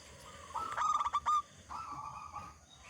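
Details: Zebra dove of local stock, used as a lure to get other zebra doves singing, voices one short fluttering coo phrase, then a fainter drawn-out note amid steady background noise.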